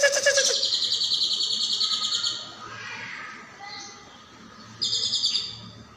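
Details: Training-recording song of a leafbird for teaching other songbirds: a harsh, high, buzzy trill fades into a quiet gap, then a brief, sharp, high buzzy burst returns near the end.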